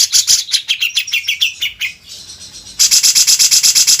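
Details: Grey-cheeked bulbul (cucak jenggot), tutor song: quick, descending series of high chipping notes, a brief pause, then a very fast, even, high-pitched rattle of repeated notes.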